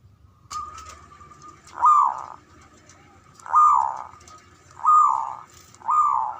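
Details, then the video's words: Male zebra dove ngoar manggung call, used to rouse mating excitement: a steady held tone, then broad, hoarse, arching notes swelling and falling, repeated roughly every one and a half seconds, over a faint low background hum. "SUARANYA🔊 PALING DI CARI UNTUK PENDONGRAK BIRAHI & EMOSI❗NGOAR MANGGUNG"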